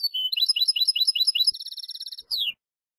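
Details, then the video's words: Malagueño-style song of a European goldfinch, made for training young birds: rapid high twittering notes flowing into an even, fast buzzy trill, then a brief slurred note before silence. "Nuevo CD malagueño para educar jilgueros EL TENOR DE MALAGA 2022/2023"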